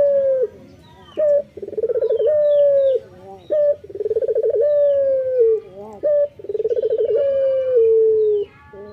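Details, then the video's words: Local male dove calling vigorously in the morning: low, rolling coos, each a short pulsed burst sliding into a long, slightly falling drawn-out note, about every three seconds. "SUARA BURUNG PUTER LOKAL JANTAN GACOR PAGI HARI"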